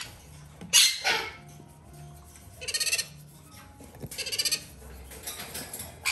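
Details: Three hand-reared sun conure chicks bred in Japan, two females and a male, kept indoors: a harsh screech followed by rough squawks and several rapid trains of buzzy, stuttering pulses spaced over six seconds.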